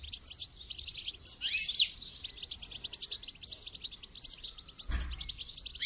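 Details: Song-training recording of a goldfinch: continuous high twitters and tinkling trills, with buzzy rising notes and a short low thump near the end.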